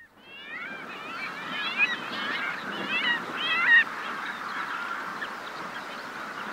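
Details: Several Arctic skuas give nasal, wailing, overlapping calls in flight in quick bursts for about four seconds, with faint skylark song, sea wash and wind behind.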